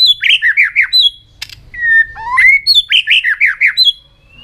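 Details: Song-trained white-rumped shama: quick runs of repeated downslurred notes with high thin chips, a sharp click, a long whistle rising to a loud upslur, then another rapid burst of repeated slurred notes.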